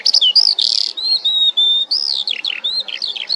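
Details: Common linnet singing close and loud: bright twittering chirps, short whistled slurs and buzzy chattering notes in a quick, uneven, continuous run, with a quiet background.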